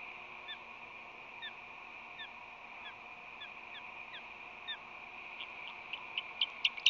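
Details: Osprey calls as an unknown female makes a second visit to the nest at 6:55 am on February 20, 2020, with the resident bird showing courtship mantling. Short downslurred whistled chirps repeat about every 0.7 seconds, then louder, sharper chirps end the series over a steady hum.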